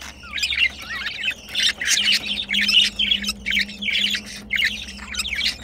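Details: During mating, pet budgerigars give a run of twittering warbles and squeaky chirps in rhythmic bursts, with a faint low hum beneath.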